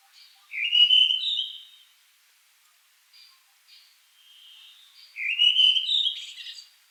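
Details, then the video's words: Redwing song: a clear whistled phrase, slightly rising, then a scratchy twitter. The phrase repeats about five seconds later, with faint soft notes in between. "Дрозд белобровик. Красивое пение птиц"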